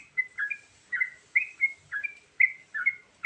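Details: Short, slurred, whistled chirps from a yellow-vented bulbul in a varied lure song, spaced roughly every half second over light background hiss.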